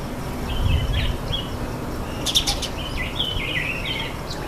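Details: At a birdbath, a red-faced mousebird utters clipped, high whistled notes, several slurring downward, broken by a brief splash in the middle, over low background rumble.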